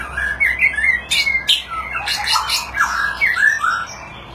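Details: White-rumped shama singing during display, a lively varied song of many voices: short clear whistled notes and slurred rising and falling phrases, some sharp bright accents, in quick succession with brief gaps.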